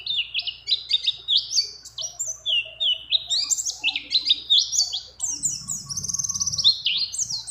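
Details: Breeding female mountain white-eye calling a male, its song full of other birds' phrases: fast, high chirps and slurred whistles in continuous lively runs, with a low rustling noise toward the end.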